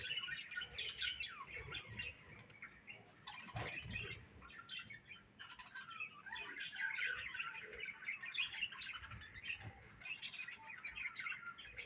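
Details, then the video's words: Budgies twittering in a long, lively stream of chirps, squeaks and scratchy warbles, swelling and fading with brief lulls. "Budgies Chirping Sounds"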